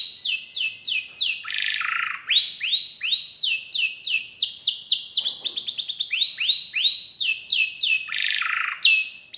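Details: Canary, described as a constant singer with special melodic turns and rich fill, delivering rapid series of high downward-sweeping whistled syllables, each phrase repeated several times before switching, with broad buzzy rolls and fast chattering trills between.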